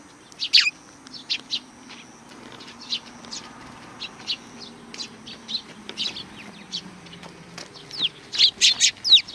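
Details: Sparrows at a Tenmangu shrine, July 2020, chirping as if to greet arrivals: loud sharp notes at the opening, softer irregular chirps through the middle, then a louder cluster near the end, over a low steady hum.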